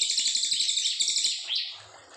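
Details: Brown fulvetta, recorded as a long clear song for tutoring white-rumped shamas, delivering a loud, high, rapid buzzy trill that fades after about a second and a half into a soft rising whistle.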